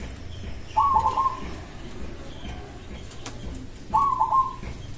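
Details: Local zebra dove song, said to draw an immediate reply from other doves: two brief phrases of rapid, bubbling coo notes about three seconds apart, rather faint over a steady low background hiss.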